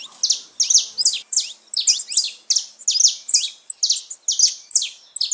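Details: Song of a saffron finch, used to rouse pet birds: steady sequence of bright, high, sharply down-slurred chirps delivered roughly three per second, with a few thin whistled notes in between.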